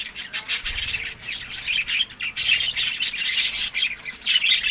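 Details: Budgerigars eating summer food between May and June, Larkana, Sindh; dense warbling chatter of several birds, overlapping squawks and chirps with short sharp clicks, continuous throughout.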